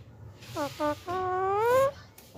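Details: Very hungry green parakeets in Pakistan: two short harmonic notes, then a long wail that climbs gradually in pitch before stopping abruptly, with a faint low hum throughout.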